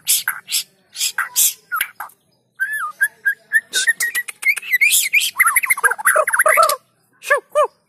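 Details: Lively White-rumped shama singing, meant to coax silent shamas to join in: scratchy bursts open the phrase, followed by rising whistles and a dense rapid warble, then a few separate downslurred notes.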